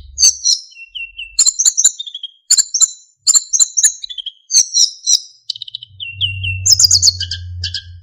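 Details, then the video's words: Narcissus flycatcher in full song for training other songbirds, with fill-ins and clear whistling: repeated high chirpy phrases, each ending in a lower whistled note, followed by a low hum under denser twittering. "MASTERAN BURUNG SIKATAN EMAS GACOR FULL ISIAN & SULINGAN JERNIH"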